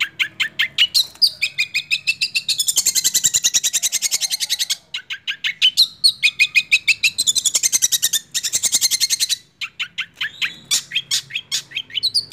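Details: Six-month-old long-tailed shrike sings a long roll speed and nembak sequence: repeated bursts of dense, buzzy high trills, broken by sharp chirps and brief pauses.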